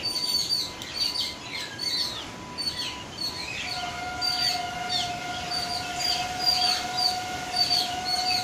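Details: Yellow-billed babblers in Sri Lanka give harsh, squeaky chattering notes in quick, uneven bursts, while a steady mechanical drone hums underneath throughout.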